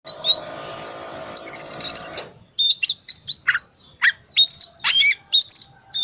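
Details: Oriental magpie-robin of the calm 'dingin' type giving ngriwik-style song to prompt silent magpie-robins to sing: clear high whistles, then a rapid run of sharp, varied chirps and slurred notes with short pauses.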